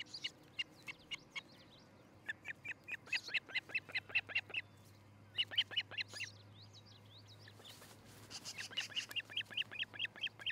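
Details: Nest-cam recording of an osprey couple building a new nest in Charlo, Montana, morning of July 13, 2018: rapid runs of short, sharp, high chirps, several per second, broken by brief pauses, with a low hum underneath.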